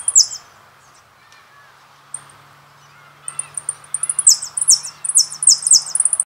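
A goldfinch opens with a brief tinkle, pauses, then bursts into rapid, high, liquid twittering and bright buzzy trills, over a faint low hum.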